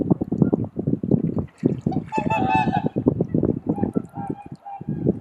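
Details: Swan calls at daybreak on Kotoku Pond, Japan, on a camera's built-in microphone: a short, ringing honk with stacked overtones just after two seconds, amid constant low wind noise and nearby talking.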